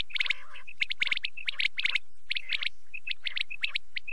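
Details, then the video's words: Quail calling at night with fast, closely packed high chirps, rhythmic clusters broken by single clear whistled notes, continuing steadily throughout. "rat k liye batair ki awaz | quail calling"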